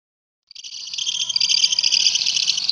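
A lovebird gives a long, unbroken, high-pitched chattering trill that is shrill and buzzy, swelling steadily louder with no pauses.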